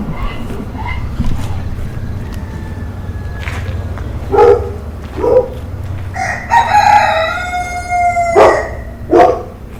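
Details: Rooster crowing in the morning: soft clucks and scattered short notes first, then a long drawn-out harmonic crow near the end, over a steady low rumble of background noise.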